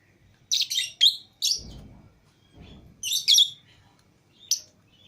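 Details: Pet lovebirds, green Fischer's and lutino pairs, let out of the cage with other lovebirds, utter clustered sharp high chirps and squeals, with soft low rustling or thumps between bursts.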